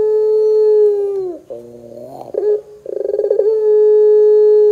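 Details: A puter pelung dove, recorded as a lure to set doves singing, ends a long low steady coo with a downward slide, gives buzzy broken notes, then a fast pulsed stutter and another drawn-out level coo.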